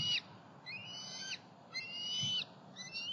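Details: Juvenile bald eagles out flying from the nest to a pond and on to a snag tree in Southwest Florida, 5 July 2020. High, thin whistled calls with sloping harmonics repeat about every 0.7 seconds, four calls in a row.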